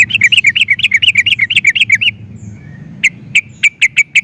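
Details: Yellow-vented bulbul song meant to draw other bulbuls into singing: a fast run of bubbly, wavering notes for two seconds, a pause, then six evenly spaced sharp chips against a low hum.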